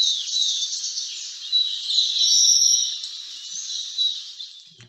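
A Malabar Whistling Thrush gives a high, harsh, screechy call that runs almost without a break for several seconds, with a few thin whistled tones mixed in.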